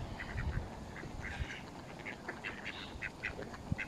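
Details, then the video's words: Mallard ducks feeding with Canada geese at a pool in Stoke on Trent, United Kingdom, 21 November 2021, mobile phone recording: scattered short quacks from several birds over a low, rumbling background with occasional knocks. "Mallard Duck and Canadian Geese Feeding Frenzy"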